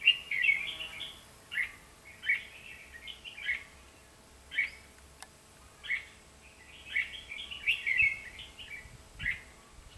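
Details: Red-whiskered bulbul used as a decoy during trapping on 23 October 2016, the wild bird then caught; bright, chattering whistled phrases repeated roughly every second, some run together, over faint steady background noise.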